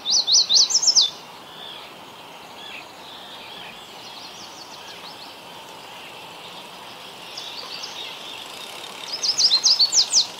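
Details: A Yellow Warbler in Ontario, Canada sings bright, rapid, high-pitched phrases about a second long, loud at the start and end with fainter songs between, over a steady background hum.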